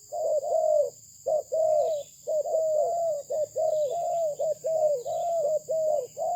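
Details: Spotted dove of a Malaysian breed, kept as a fine-voiced songbird, cooing a rapid series of short mellow notes, each with a slight rise and fall, in a near-continuous run with a faint steady high hiss behind it.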